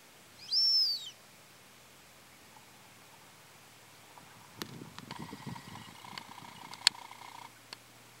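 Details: Male Brazilian teal giving a single high, clear whistled note that arches up and then falls, lasting about half a second, followed by a long quiet stretch with faint rustling and knocking.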